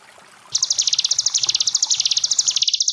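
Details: Ciblek gunung, Sunda bush warbler, training song for young cage birds: after a half-second of murmuring water a sharp, very high trill of rapid, evenly repeated notes starts, then cuts off abruptly near the end over the steady stream sound.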